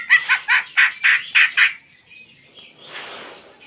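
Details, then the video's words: Cucak ijo singing a song that mimics a canary; a series of six loud, harsh, buzzy phrases repeated about every quarter second, then quieter scratchy twittering. "Cucak Ijo Gacor Isian Kenari"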